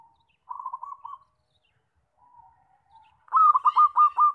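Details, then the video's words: Zebra dove with a loud voice, used as a lure for trapping: soft low cooing, then a loud rolling phrase of five quick throbbing coos near the end. "PERKUTUT SUARA KENCENG BAGUS BUAT PANCINGAN DAN PIKAT"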